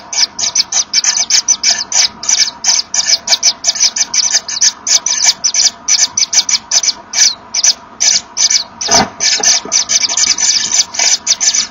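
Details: Inside a Common Kingfisher nest in the afternoon of 24 August 2013, the pair blow at each other as the female arrives with a fish for the chicks. A steady stream of sharp, breathy hissing pulses repeats without pause.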